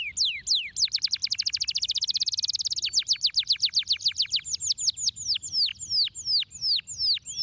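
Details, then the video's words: Canary song intended to stimulate caged birds: high, rapid trills of sharply descending whistled notes, first very fast and dense, then slower, separated sweeping notes repeated several times a second, with no other sounds. "O poderoso tweet do Canário"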